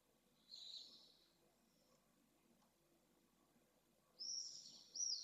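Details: Pallid swifts at a nest with eggs in Jerez de la Frontera, Spain, in May 2022 give two bursts of harsh, high screaming trills, one brief and one longer, over a quiet background hum; intruder swifts had attacked the nest.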